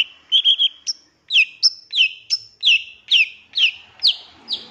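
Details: Long-tailed shrike master recording with 'tembakan' fills, used to provoke other birds: short triple chirps, then a steady series of about ten sharp, downslurred whistles, one roughly every third of a second.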